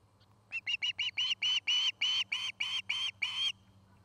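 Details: Osprey pair at a nest in Charlo, Montana, caught on a nest camera: a series of about twelve sharp whistled chirps that start short and fast and grow longer and louder, over a low electrical hum.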